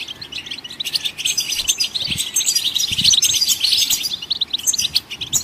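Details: Constant high twittering of goldfinches singing to encourage other songbirds, with rapid chirps and buzzy trills that grow louder toward the middle.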